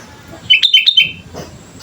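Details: Sooty-headed bulbul in full voice, recorded as a singing lure: one quick phrase of four or five clear, liquid whistles rising and falling, lasting under a second against quiet low hum.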